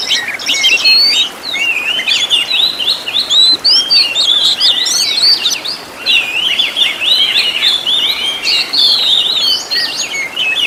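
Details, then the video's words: Oriental magpie-robin song for teaching caged birds, full of varied fillers: a rapid, tumbling stream of twittering whistles and scratchy trills, dense and unbroken, with a brief dip near the middle. "MASTERAN BURUNG KACER FULL ISIAN TEMBAKAN MEWAH LENGKAP"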